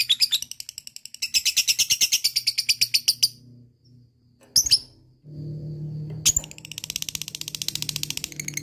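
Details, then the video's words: ['Lovebird ngekek trill used as a prompt for lazy lovebirds: rapid high chattering pulses in two bursts, a brief squawk, then a steady low hum underneath as a softer, denser chatter continues to the end.'] "LABET ngekek gacor jeda rapat,solusi pancingan lovebird malas bunyi"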